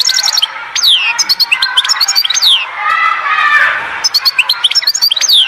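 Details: Singing European goldfinch from Oued Zhour in Skikda. Liquid, descending slurred notes mix with fast chirping twitters, and a soft murmuring warble fills the middle.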